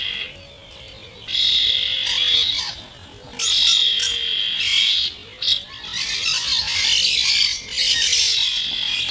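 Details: Half-speed recording of starlings, chiefly first-generation youngsters of the year, squabbling over food; loud rasping squawks last one to two seconds, with faint low whistled arcs repeating between them.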